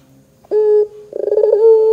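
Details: Barbary dove on a lure recording meant to make young doves sing. A short level coo is followed by a rapid bubbling, laughing series of notes that settles into a held tone.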